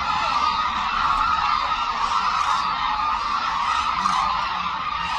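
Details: Hooded cranes in a large flock at Suncheon Bay Wetland, where migratory birds gather, performing an aerial display; a dense, continuous chorus of overlapping trumpeting calls blends into a steady, unbroken wall of sound.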